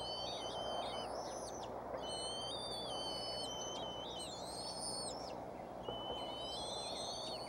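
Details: Hungry bald eagle nestlings at Decorah, 06-03-2015, near 5:45 pm, calling while waiting for food as the mother arrives with a stick instead of a fish; several high piping whistles overlap in long drawn-out notes, with occasional sharp downward slurs.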